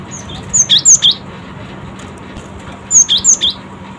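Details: Cinereous tit, known locally as gelatik batu, responding quickly: two bursts of four clear, high whistled notes each, alternating higher and lower pitch, about two seconds apart, over a faint low hum.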